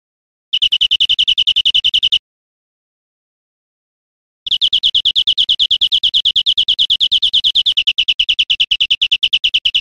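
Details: European Greenfinch singing in Spain, 2013: a fast, even trill of bright repeated notes, broken by a short silent gap before a longer rolling run resumes.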